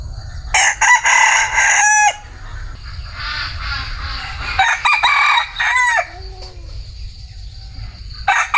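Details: Bantam rooster delivers a loud, strained crow of about one and a half seconds that ends in a drooping tail. Softer crowing follows midway, then a brief sharp onset near the end, with low rumble throughout.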